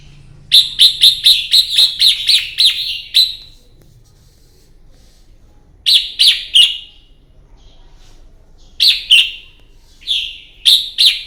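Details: Red-whiskered bulbul singing in a combative morning display, used for training: rapid series of sharp, chirpy notes in bursts, a long run first, then shorter groups after silences.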